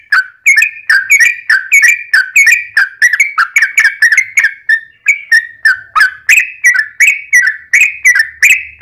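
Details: Sooty-headed bulbul song played to draw answers from other bulbuls: continuous string of fluty, bubbling whistled notes, each falling slightly, delivered quickly and evenly with scarcely any pause.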